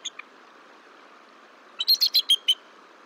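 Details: Bald eagle at the Decorah nest, 17 March 2023, during incubation and egg turning at a shift change. Brief quiet chirps, then a quick burst of five or six high, piercing chittering notes.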